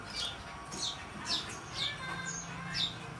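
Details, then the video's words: Magpie robin, gajor dorr song used as tutor material: clear, whistled notes that drop in pitch, repeated about twice a second over a steady low hum. "Burung kaso kaso gajor dorr buat isin"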